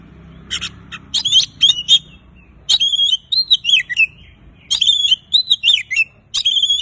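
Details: Oriental magpie-robin song played to encourage silent birds: sharp chips followed by sweet, sliding whistled phrases dropping and rising in pitch, repeated in clusters with brief pauses.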